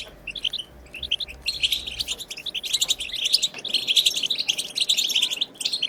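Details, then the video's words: Wild European goldfinch song used to stimulate other goldfinches to sing: dense, fast twittering of high, bright chirps and buzzy trills, nearly continuous with brief pauses, over a faint low hum. "بتبتة خلوية جديدة لتحفيز الحسون على التغريد"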